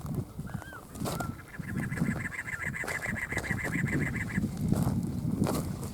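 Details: A cactus wren sings among saguaros during a hike in Ironwood Forest National Monument, Sonoran Desert, near Tucson, Arizona: about twenty rapid, even, harsh chugging notes over three seconds, with low rumbling wind and footsteps underneath.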